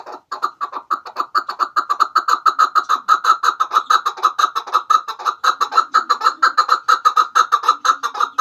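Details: Chukar partridge calling, recorded for use as a lure in hunting: an unbroken, fast series of throaty clucks, roughly two per second or more, even in pitch and loudness throughout eight seconds.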